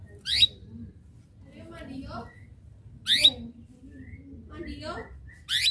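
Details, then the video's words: Canary chirping to lure a rival into singing: three short, bright ascending chirps spread over several seconds, with a woman's voice talking softly in between. "KENARI GACOR Suara Cuitan memanggil lawan ikut Gacor"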